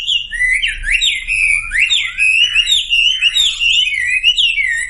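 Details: Sumatran leafbird song used as a lure to get silent birds singing: a rapid stream of varied, slurred whistles rising and falling through high pitches, with a faint low hum underneath.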